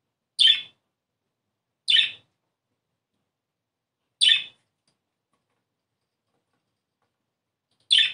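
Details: Budgerigar chirping from a recording meant to stimulate breeding: four isolated high chirps, separated by long silent gaps of one to four seconds.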